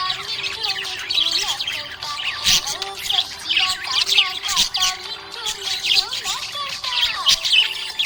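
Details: A happy budgie keeps up rapid warbling chirps and scratchy squeaks, several overlapping bursts, while musical accompaniment with sustained notes runs steadily beneath.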